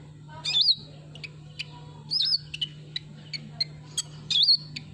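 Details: Sunbird used as a lure sound: short high twittering phrases with a looping whistled note, repeated roughly every two seconds, mixed with scattered sharp chirps and a steady low hum.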